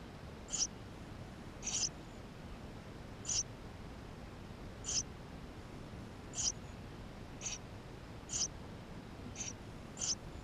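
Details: Eurasian tree sparrow nestlings in the nest, filmed inside with a GoPro: around ten high, squeaky peeps repeated every one to one and a half seconds, fairly even in loudness.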